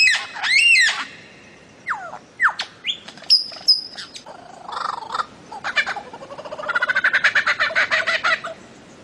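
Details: Bird-of-paradise giving a mixed song. It opens with a rich arched whistle, then thin high notes and short swoops, then closes with a fast rattling trill.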